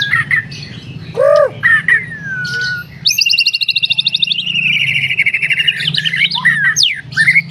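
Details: White-rumped shama, an F4 captive-bred bird, singing actively: a few fluting whistles and a long descending slur, then a fast rattling trill lasting about two seconds, followed by more sweet varied phrases over a low hum.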